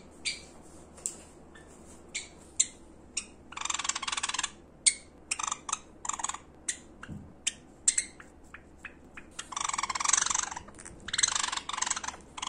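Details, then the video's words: A Java sparrow gives sharp clicking chips and short, broad, rasping bursts of notes in an irregular run, with a quiet indoor hum behind; a medley of song, calling and begging calls. "【文鳥／鳴き声メドレー⑩】さえずり、呼び鳴き、甘え鳴き かわいい鳴き声を集めました"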